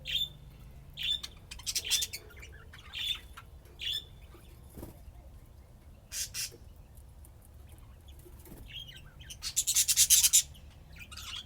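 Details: Budgerigars playing and chirping: scattered short bright chirps and raspy notes, then a fast rattling chatter of rapid pulses near the end, with quiet gaps between bursts.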